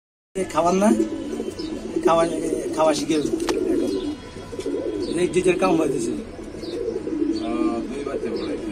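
A young pigeon gives repeated squeaky, wavering calls, with soft cooing and a human voice nearby.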